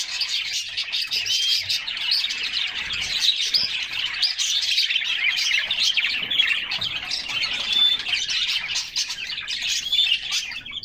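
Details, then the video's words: A group of canaries splashing in a summer bath and singing constantly; dense, bright twittering with rapid trills and occasional clear whistled notes from many birds at once. "Canaries Singing and Splashing in a Refreshing Bath"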